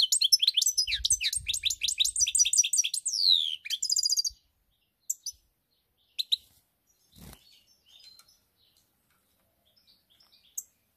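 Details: European goldfinch song recorded 7 March 2021, a dense rush of quick high chirps and downward slurs for about four seconds, followed by scattered single soft notes and near silence; low thumping beneath the opening.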